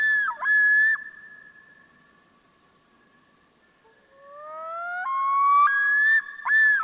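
A Common Loon's wail: long, pure, mournful notes that slide and then step upward in clear jumps, haunting and far-carrying, with no other sounds.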